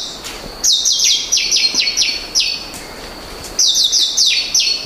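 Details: Philippine Apo myna giving bright, high, scratchy calls in quick bursts, each note a short downslurred chirp, with a steady high hiss behind them.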